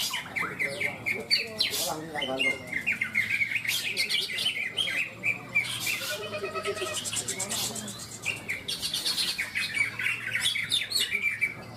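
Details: Greater green leafbirds (cucak ijo) at a singing contest in Malinau, North Kalimantan, Ronggolawe arena; dense, continuous chorus of loud whistles, trills and buzzy chatter from many caged birds, with people talking underneath.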